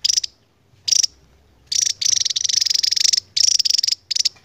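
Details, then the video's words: Javan tesia, a Javan endemic bird, giving its long ngebren: rapid, pulsed, very high trills, two short bursts and then longer runs lasting over a second, delivered with a rattling beat. "BURUNG NGEBREN PANJANG .....GAK SESUAI POSTUR ..TAPI INILAH TESIA JAWA"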